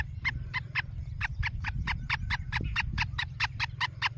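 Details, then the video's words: A black francolin gives a fast run of harsh, grating notes, about four or five each second, over a steady low rumble. "Black francolin voice |سپیڈرتیتر"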